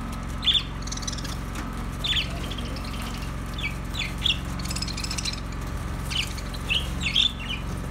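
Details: Budgies calling with brief high chirps spaced a second or so apart, a few doubled, against a constant droning hum.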